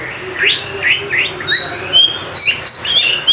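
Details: Oriental magpie-robin (kacer) singing to coax lazy birds: three swooping upslurred notes open, followed by long steady whistles and quick chirped accents.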